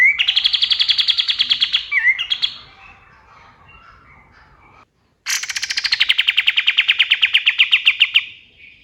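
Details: Male white-eye (katem, kapas tembak) from natural forest, singing at dawn and used as training song for songbirds: two loud bursts of rapid, sharp, evenly repeated high chirps, each lasting about two to three seconds, separated by a quiet pause.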